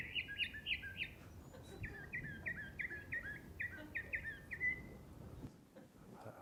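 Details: Recorded Northern Mockingbird from Lancaster County, played back and imitating killdeers, blue jays and two or three other species; chirpy phrases repeated in quick runs, first about four times, then a longer series of about eight similar notes, over low background rumble.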